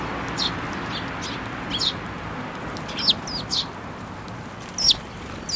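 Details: Sparrows flying to a hand for food at a Tenmangu shrine on 7 May 2024, giving short, sharp, scattered chirps over a steady broad background hiss.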